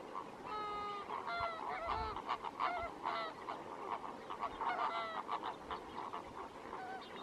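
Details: Colony of lesser flamingos, some greater flamingos among them, at the Lake Natron breeding ground in Tanzania; continuous overlapping goose-like honks and nasal calls, some drawn out with steady harmonics, from many birds at once.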